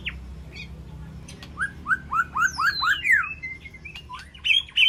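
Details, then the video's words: White-rumped shama in a peaceful aviary calling to its flock: a run of five upslurred whistles at an even pace, then a long descending sweep and bright varied whistled notes, over a low steady hum. "Sound of White-rumped Shama Call to Flock"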